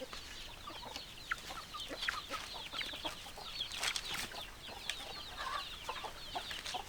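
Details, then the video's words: A flock of chickens makes a dense, continuous chorus of high, short peeping and chirping notes that overlap throughout, with occasional lower clucks underneath. "Chicken Sounds Noises Hens Clucking Roosters Crowing"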